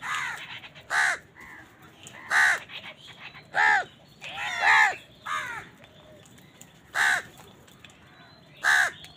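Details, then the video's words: On a winter morning several crows trade loud, rasping caws, one roughly every second, some overlapping, with softer cawing behind them. "Many Crows crowing sounds and noises on a winter morning"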